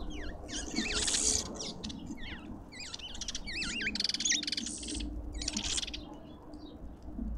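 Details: Shrill, looping chirps from a group of lovebirds at a garden feeder in Pretoria, South Africa, repeating several times a second, with buzzy rasping bursts and a faint low hum beneath.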